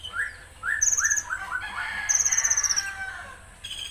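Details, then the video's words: A konin gives a rough, forceful song: quick upslurred whistles, then a dense, high chattering trill in rapid sharp bursts, over faint background hum. "Tembakan Kasar Konin"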